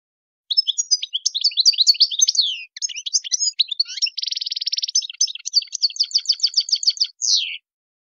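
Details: European goldfinch in the wild song style, 'chant sauvage': continuous lively twittering, a dense buzzing trill in the middle, then fast repeated clear notes and a final falling note.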